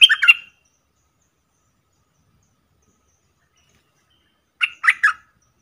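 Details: Caged streak-eared bulbul used as a decoy, calling to draw in wild birds that circle without landing; two short bursts of three sharp chirpy notes, one at the start and one near the end, with silence between.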